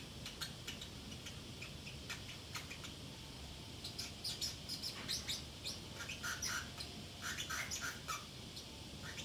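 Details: Pet Pacific parrotlet left alone at home, chattering to itself: scattered high chirps and clicks, then a livelier burst of buzzy, rapid twittering notes in the second half, over a steady low room hum.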